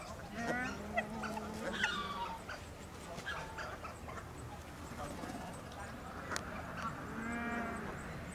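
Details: Captive Hawaiian geese (nene, Branta sandvicensis) in a private collection in Holland, 19 August 2023, give a few low, drawn-out, moaning calls with harmonics, several seconds apart, over steady background hiss.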